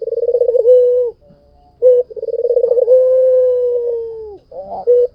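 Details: A white dove sings in full voice. Two phrases each start as a fast pulsed roll and stretch into a sustained low note, the second much longer, with a short clipped coo between them and another at the end.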